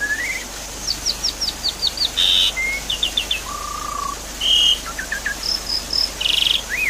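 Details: Javan pied starling song used to stimulate a non-singing caged bird: rising whistle, rhythmic series of high chirps, broad buzzy notes, a low flat whistle and repeated high piping notes.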